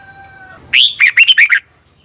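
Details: Red-whiskered bulbul, Thailand, a song used each morning to train caged birds: a single brisk phrase of a rising swoop followed by four quick bubbly notes, preceded by a faint thin tone.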